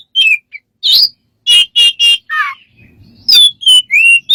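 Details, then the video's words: Smart bird with many strange sounds: scattered sharp chirps, a louder burst, then a string of bright whistles and a lower grating note, ending in clear rising and falling whistles. "smart bird have lost of strange sounds"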